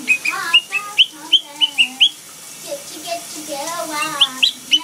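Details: Whistled imitation of the Gitchi Gitchi Goo song from Phineas and Ferb by a blue pet monk parakeet. Sharp, upward-flicking chirps repeat at the start and end, around softer, wavering melodic notes.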